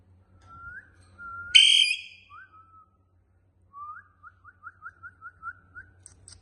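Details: Pet parrot talking: smooth whistled tones, a sudden harsh screech at about 1.5 seconds, then a quick run of about ten short rising whistled notes. There is a faint low hum underneath.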